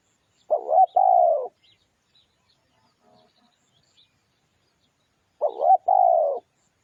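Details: Lure recording of a spotted dove, giving two cooing phrases several seconds apart, each a brief wavering note then a drawn-out steady coo, with quiet gaps and a few faint chirps.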